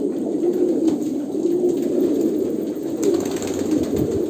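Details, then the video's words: Kolkata pigeons giving deep, warbling coos that blend into one continuous throaty hum, with a short rustle near the third second. "kolkata pigeon"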